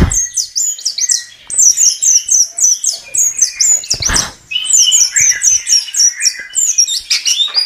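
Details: A chestnut-capped thrush delivers a fast string of repeated high, sharp chevron-shaped notes, with lower whistled phrases between the series. A single low thud is heard midway.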